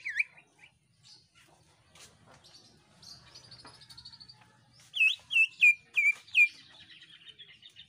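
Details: Lively greater green leafbird song meant to prompt other birds to sing: an opening slurred whistle, scattered soft chirps and a fine high trill, then a run of five loud, clear, down-slurred whistles.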